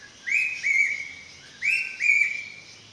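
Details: Dark hawk-cuckoo giving two loud whistled double notes, each a sharp upslurred start sliding into a level tone, about one and a half seconds apart.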